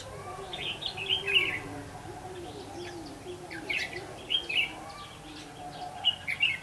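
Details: Decoy red-whiskered bulbul at a trapping site, 8 October 2016, delivering short, lively warbled phrases about every one and a half seconds, separated by brief pauses, against a constant low droning background.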